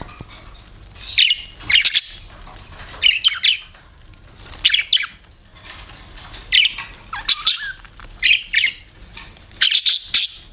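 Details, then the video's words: Pet budgerigars chirping in short harsh squawks and chirps, bursts spaced roughly every one to two seconds, some with a quick falling whistle, over a quiet low background hum. "BUDGIES CHIRPING SOUND"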